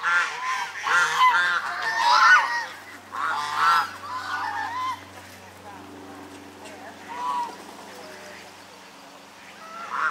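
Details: Chinese geese, or swan geese, a flock fed by locals in November 2021, burst into loud nasal honking in the first four seconds, then scattered quieter honks over a low steady hum.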